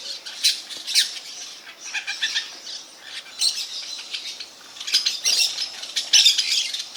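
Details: Several parakeets squabble with rough, broken squawks in irregular bursts, loudest toward the end, over steady background chattering.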